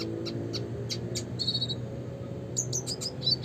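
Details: Red siskin (Spinus cucullatus) uttering quick high tinkling chips and a short buzzy trill, with a few fast twittered notes near the end; a low background hum runs throughout.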